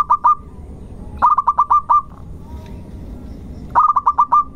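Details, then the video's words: Local zebra dove singing as a lure to make others sing. A short double note comes first, then two full phrases of rapid, level coos, each ending in a longer drawn-out note. "irama Tembakannya ngotot di awal panjang di belakang merdu di tengah pancingan Perkutut Lokal Gacor"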